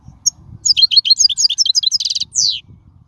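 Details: European goldfinch song from the wild, played to train young goldfinches: a quick string of bright twittering notes, a dense trill, then a falling slurred note, with low faint rumble underneath.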